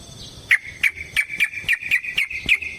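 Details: Yellow-vented bulbul fighting song, played as a lure to stir other bulbuls into singing: sharp clipped notes repeated about every third of a second over a steady high ringing tone.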